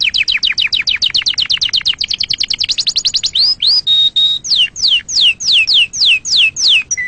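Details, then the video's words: Canary song meant to excite other birds and teach chicks to sing: rapid clear trill of falling notes, then slower downward-sweeping whistles and a steady pure whistled tone, strong and clean. "صوت تغريد عصفور الكناري لتهييج طيورك وتعليم الفراخ"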